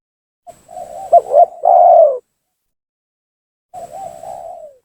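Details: Spotted dove lure call used to bring down and agitate rival doves: a soft rolling lead-in building to a strong, slightly falling coo, then a pause before another low, rolling phrase begins.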